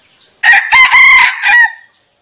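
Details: Red junglefowl decoy rooster, kept to lure wild junglefowl, giving one loud crow: a harsh, ringing phrase of about one and a half seconds broken into several short bursts, ending in a drawn-out falling note, with silence around it.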